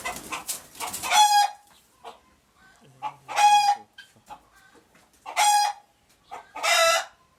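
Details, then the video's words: Alarmed chicken, Uganda: four loud, raspy squawks roughly every two seconds, with quiet clucking between them. "Alert Chicken Noises"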